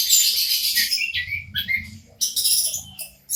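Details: Local orange-headed thrush singing, a recording meant to prompt silent birds to sing. A high rasping burst opens, followed by short rising and falling whistles, a brief pause, then another loud, scratchy phrase.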